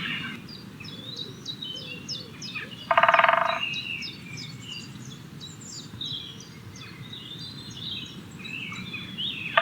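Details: Great spotted woodpecker drumming: one loud, fast, rattling roll lasting about half a second, with a second roll starting at the very end, over a background of many small birds singing and low rumbling noise.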